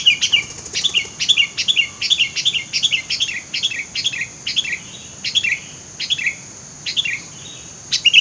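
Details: Sooty-headed bulbul calling from dense bushes, used for luring: a long, steady series of short bubbly whistled notes, several per second, fading slightly midway, with a persistent thin high whine.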